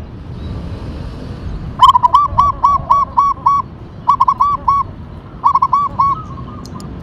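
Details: Local Indonesian zebra dove (perkutut) of the Tumbak Cucukan katuranggan type, singing actively with a characterful voice: three mellow cooing phrases, each opening with quick clipped notes then a run of rounded, evenly spaced coos.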